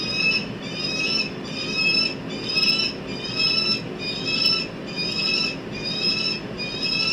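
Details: Peregrine falcons at a nest during incubation of their eggs. Nasal, strained calls repeat at a fairly even rhythm of about once per second, each with layered overtones, over constant background noise.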